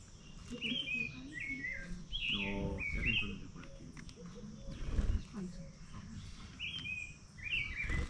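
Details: White-naped brushfinch (Atlapetes albinucha) at Colombia Birdfair 2024, giving high, thin chirped notes in short bursts of two or three separated by pauses, over steady outdoor background noise and faint low voices.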